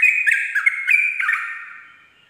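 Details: Sooty-headed bulbul in ropel style at dawn, a training lure: a short flurry of bright whistles with quick dips in pitch, then a long fading tail.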